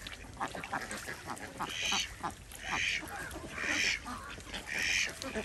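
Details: Desi ducks swimming in a pond on a small village farm in India give harsh, raspy quacks roughly once a second over a busy background of clicks and splashy noise.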